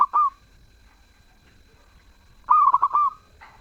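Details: A zebra dove sings melodiously and freely. The end of a phrase opens the recording, followed by a pause, then one full phrase of quick, stuttering coos ending in a longer tone, and a brief faint note after it.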